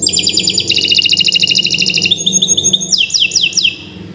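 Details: Kenari Nusantara canary singing long gacor training song for silent birds: a dense, buzzy high trill, then a lower rattling chatter, ending in a run of quick downward-sweeping whistles before fading.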